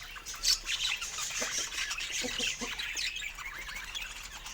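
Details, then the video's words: Pet budgerigars at fruit time, heard softly: faint high twittering and chirps with a few lower clucking notes, in a quiet room. "Cute Budgie Love and Funny Sweet Sounds During Fruit Time"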